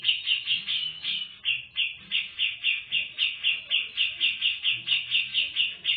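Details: A female Grey-cheeked Bulbul (Alophoixus bres) gives a fast, steady run of bright, high chirping notes, about four each second, with little else heard.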